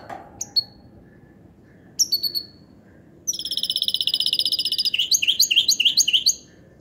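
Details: ['Goldfinch hybrid singing: a few sharp isolated chirps, then from the middle a fast, dense run of bright, buzzy, rapidly repeated notes that turns into rising twittery phrases before stopping.']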